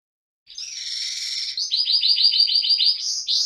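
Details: Young Gloster canary sings a bright, buzzy rolled trill, then a quick run of about eight clear, high chirping notes each second.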